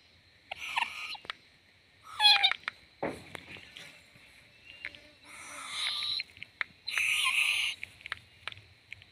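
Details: Owlet, a baby owl swaying about, giving harsh, breathy hissing screeches in four bursts, the longest near the end lasting under a second, with faint clicks and light rustling between them.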